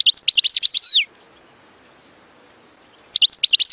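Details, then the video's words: European goldfinch song used for teaching chicks: about one second of rapid, bright, high twittering with quick chirps and slurred trills, a two-second silent gap, then another short burst of the same fast twittering. "تغريد أغلى حسون في العالم لتعليم الفراخ"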